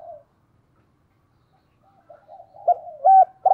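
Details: Spotted dove decoy bird cooing in the two-ending style; a short burst at the start, then after a pause soft low hoarse notes leading into two loud clipped coos and a rolled final coo.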